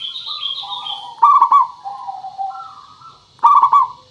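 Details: Zebra dove singing, a local lure recording meant to make doves respond: soft low coos followed by two loud staccato rolled phrases about two seconds apart, with a higher faint whistle early on and steady hiss.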